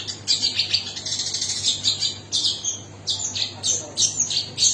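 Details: Long-tailed shrike delivering vigorous high chatter, harsh squawky notes mixed with quick twitters, in phrases separated by short gaps.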